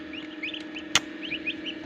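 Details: Turkey chicks hatching in an incubator machine on a turkey farm in Darrang, Assam: a quick run of short, high peeps, rising then falling, broken by one sharp click, over a steady low machine hum.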